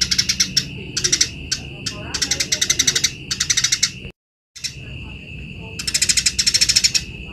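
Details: Eurasian tree sparrow chirping for bird training: short bursts of quick, harsh high chirps with small gaps, a brief total silence midway, then more rapid chirping over a steady faint high tone.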